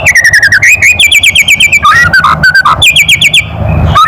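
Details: White-rumped shama giving a loud kretekan call meant to provoke other birds: rapid runs of harsh, ladder-like clicking notes, each burst sliding slightly in pitch, repeated in quick succession with brief gaps.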